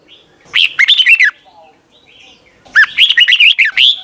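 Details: Caged Red-whiskered Bulbul from Thailand, song used to train young birds every morning. Two warbled phrases of quick, looping whistles, the second longer and more varied, are separated by about a second and a half of near silence.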